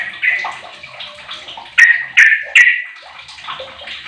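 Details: Fifteen-year-old sooty-headed bulbul singing as a lure for other bulbuls. Soft bubbling notes, then three loud, sharp-edged chirps in quick succession midway, followed by quieter warbling.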